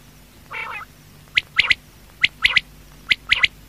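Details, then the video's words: Night-time quail call: after a soft buzzy note, crisp high notes in fast clusters of two or three, repeating roughly every three-quarters of a second over a low background hum. "Quail|Night|Best|Sound| Batair Awaaz"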